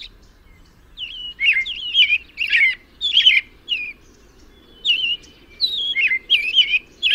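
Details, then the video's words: American robin singing: clear, warbling whistled phrases, each short and slurred, delivered in bursts of two to four with brief pauses between groups; faint low background hiss, no other birds prominent. "American robin (Turdus migratorius) tweets and sings with an amazing voice."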